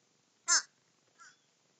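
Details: Crows feeding together; one loud, harsh, slightly descending caw, then a quieter shorter caw after a pause, in an otherwise quiet setting.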